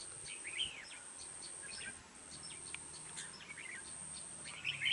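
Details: Red-whiskered bulbul kept as a decoy fighting bird for trapping in Dong Nai, Vietnam, said to sing often with a harsh voice. Two short, bright warbled phrases, one early and one at the end, over steady high hiss.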